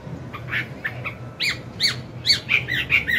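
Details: An old wild-caught Chinese hwamei singing a morning training song, a quick run of harsh chattering notes mixed with bright whistles, about two notes per second, over a low hum.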